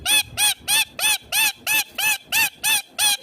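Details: Rose-ringed parakeet, called a ringneck green parrot talking: ten loud, harsh screeches in a steady run, about three every second, each one nasal and strongly harmonic, with nothing else clearly heard.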